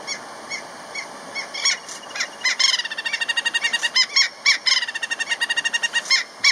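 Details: Giant kingfisher in Kruger National Park calling a mate with very sharp notes: scattered clicks build into fast rattling bursts of harsh, repeated chattering notes, with quiet background hiss.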